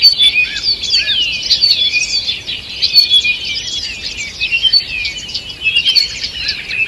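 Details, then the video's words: Early-morning birdsong in a forest, 2 June 2023: overlapping high chirps and descending whistled slurs from many birds, the chorus swelling and easing in waves. "Утреннее пение птиц"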